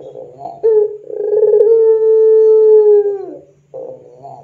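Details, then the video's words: Lure recording of a Barbary dove, known as puter pelung, made for training doves: a short note, then a rough onset flowing into a long, steady, low hooting coo of about two seconds that droops at the end, followed by further short notes. "SUARA PANCINGAN PUTER PELUNG GACOR COCOK UNTUK MASTERAN PUTER PELUNG"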